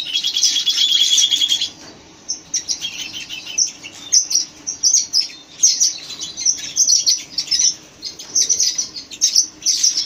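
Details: Red-rumped parakeets chirping: an opening dense burst of high warbled notes, a short lull, then scattered sharp chirps in irregular groups.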